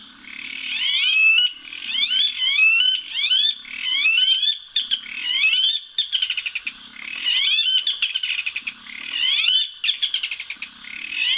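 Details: Red-legged seriemas in the Caatinga give loud, repeated yelping screams rising in pitch, breaking into rapid cackling bursts like mocking laughter, with faint low music underneath.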